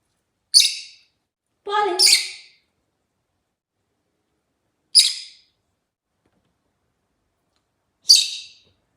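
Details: Rosy-faced lovebird chatting with short, sharp, high chirps spaced irregularly a few seconds apart, including one rougher double call with a lower squawky part; no other sounds.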